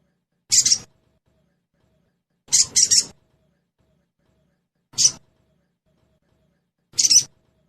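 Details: Sogon, the crested jay, in trotol style, played as a lure to prompt singing: four short, rasping bursts about two seconds apart, the second split into three quick pulses, with quiet gaps between.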